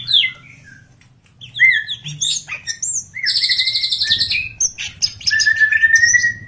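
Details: Greater green leafbird song used to lure other birds into singing: varied whistled phrases, slurred notes and rapid buzzy trills of mixed pitch, with pauses between bursts and a long sustained whistle near the end.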